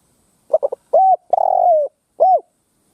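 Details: Ground lure Spotted dove singing to draw wild doves into a fight: quick stuttered clicks open into two coos, a long drawn-out falling note, and a final short arched coo, in a quiet setting.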